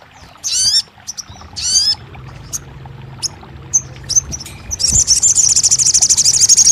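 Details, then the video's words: Crested jay on audio intended to restart a silent captive bird's singing: two harsh descending harmonic notes, scattered sharp high chips, then a sustained fast, high rattling trill. "TERAPI RAJANYA SOGON MACET BUNYI | 1 Jam Langsung Buka Patuk & Nyahut!"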